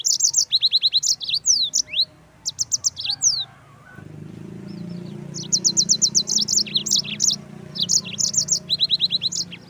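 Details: Yellow-fronted canary song used for training birds: rapid series of high, bright trilled notes in quick bursts, broken by brief pauses, with a faint low hum in the background.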